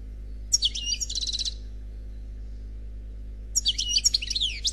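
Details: Unpaired European goldfinch performing Khalwi song: a jingling phrase of quick metallic notes ending in a short trill, a two-second pause, then a livelier burst of sliding, buzzy twitters.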